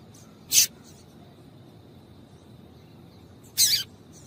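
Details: Two brief, high, piercing chips from a female yellow-bellied seedeater, about three seconds apart, given to stimulate males, with a quiet constant high tone behind.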